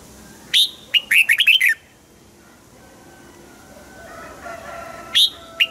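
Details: Red-whiskered Bulbul in a cage singing, used to excite caged birds: one fast phrase of bright, warbling chirps, a quiet stretch with faint murmuring, then two lone sharp notes.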